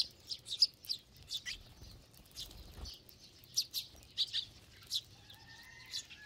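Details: Sparrows feeding in a flock, chirping in scattered, uneven bursts. Near the end a faint level whistled tone is heard beneath the calls.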